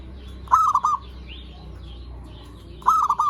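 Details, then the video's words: Zebra dove lure song meant to excite other zebra doves: two crisp, broken cooing phrases of quick staccato notes, spaced over two seconds apart, over a low hum and a faint rising whistle. "Suara Perkutut Pikat Gacor AMPUH pancingan SEMUA BURUNG PERKUTUT BAHAN AGAR SEMAKIN BUNYI GACOR"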